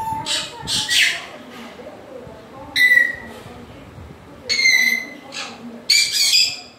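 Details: Grey parrot producing scattered harsh squawks and short whistled notes with quiet pauses between, some sounds resembling speech-like fragments.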